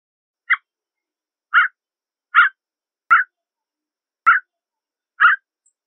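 A Canada jay gives six short, soft mid-pitched notes, about one a second, with two faint clicks in the pauses against an otherwise quiet background.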